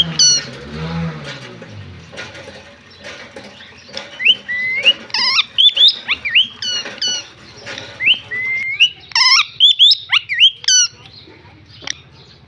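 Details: Desi parrot recorded in a village. A quiet start with a low hum gives way to a dense run of sharp, rising and falling screeches and harsh squawks, roughly two per second, before easing off at the end.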